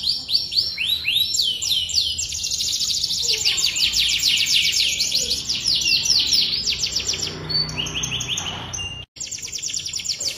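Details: Canary singing in a rich, ornate style: rapid high trills of descending sweeps shift between several tours, rolling steadily, then a brief dropout near the end before the trilling resumes.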